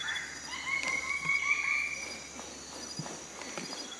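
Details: A Magnificent riflebird during display gives a drawn-out, steady high whistle over about a second and a half, among dry snapping and rustling sounds, with a constant insect hiss behind.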